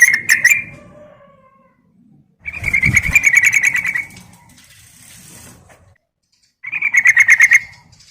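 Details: Female yellow-vented bulbul calling to a male: three bursts of rapid, bubbling, repeated notes at a middle-high pitch, separated by pauses, with low rustling and fluttering sounds in the background.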